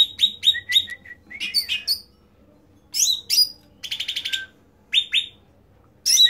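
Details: Cucak ranting (bulbul) singing loudly in short bursts: clustered downslurred chirps, high sharp notes, a brief rapid trill, and a long quiet gap before a final burst.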